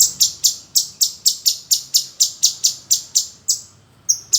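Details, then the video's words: Male bulbul (cucak cungkok) in full song, used as a tutor for magpie-robins: a fast run of sharp, high chipping notes, about four a second, then a brief pause before starting again; Saturday 2 May 2020. "Burung Cucak Cungkok Jantan Gacor"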